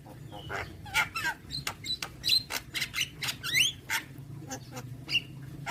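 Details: Javan myna giving a varied, busy song of sharp clicks, squeaky whistles and rasping notes, delivered in rapid irregular pulses over a steady low hum.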